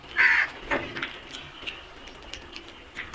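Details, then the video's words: A flock of crows: one harsh, grating caw opens loudly, followed by fainter overlapping caws from other crows in the flock, with a little background noise. "Flock of crows beautiful sound effect | Crows sounds"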